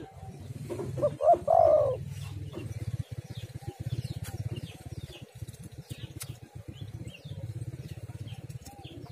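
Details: Spotted dove cooing, used as a lure to make other doves call: one loud, hoarse, bending coo phrase early on, then a low, rhythmic mechanical throbbing and faint background chatter fill the rest.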